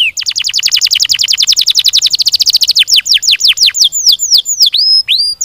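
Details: Caged-style canary song, close and loud: a long rapid trill of sharply falling notes that gradually slows into separate sweeping, downslurred whistles, ending with a few rounded, drawn-out high notes.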